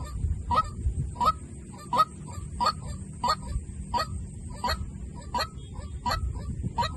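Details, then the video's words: White-breasted waterhen decoy call: around eleven harsh, upslurred honks at a steady rhythm of about one every 0.7 seconds, with fairly loud low rumbling noise underneath. "tiếng chim quốc mồi"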